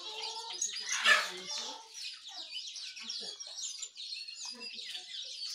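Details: Morning bird chorus from Indonesia featuring Jongkangan, Terucukan and Pleci: many overlapping high, quick chirps and short whistled notes, densest near the one-second mark, with scattered lower twittering throughout.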